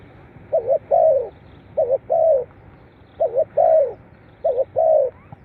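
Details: Cooing of a spotted dove, used to stimulate captive birds: four low, mellow phrases, each a short doubled note leading into a drawn-out coo, spaced roughly every one and a half seconds against quiet low-pitched background noise.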